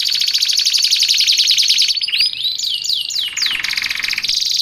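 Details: Canary in frenzied, nonstop song, recorded as a model for training and luring canaries: fast high rattling trills, then a pure whistled tone, then a run of rising and falling swooping notes and a renewed dense trill.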